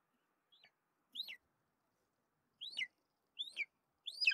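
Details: Golden eagle giving five thin, high, whistled notes that slur sharply downward. The first note is faint and short, and the last four are louder, spaced irregularly at roughly one-second gaps, against a silent background.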